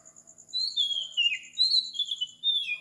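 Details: Oriental magpie-robin at 4 am in tropical Sri Lanka, singing sweet sliding whistles, each descending, in three or four phrases, over a pulsing insect trill.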